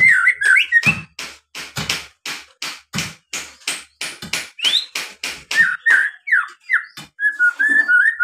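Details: White-rumped shama lure song to get birds singing: a long rapid train of sharp, percussive ticks and clicks, laced with brief whistled slurs, ending in a level whistled phrase.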